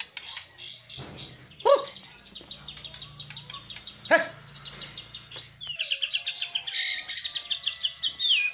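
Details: White-rumped shama song with lavish filler phrases: scattered high whistled notes and trills, loud clicks near 1.7 and 4.1 seconds, then a rapid bright run of chattering notes at the end, over a low steady hum.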